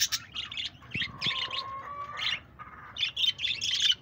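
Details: Pet budgies on 1 June 2024 give clusters of scratchy high chirps, with a steady clear whistle held for about a second beneath the chatter and a second fainter whistle later.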